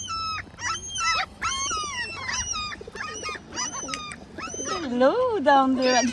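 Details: Great Black-backed Gulls give "complaining" calls, a rapid run of high, whining, rising-and-falling mewing calls about two a second, while a sparrow stays nearby among them. A person speaks softly near the end.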